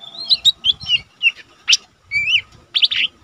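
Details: Lesser green leafbird, a mini cucak ijo kept as a cage bird and used as a tutor for training other birds, singing busily: varied whistled phrases and sliding notes, with short sharp chirps breaking in between.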